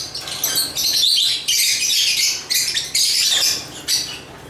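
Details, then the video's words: Loud, dense chatter of African lovebirds, long shrill, scratchy bursts of high squeaking lasting about a second each, separated by short dips, ending with a brief final burst. "African Love birds Agapornis chirps singing sounds"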